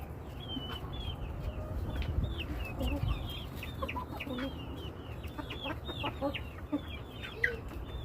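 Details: Chickens calling in a flock: a long run of short, high, slightly downslurred peeps repeated in quick succession, with softer lower notes mixed in, over low-pitched background noise.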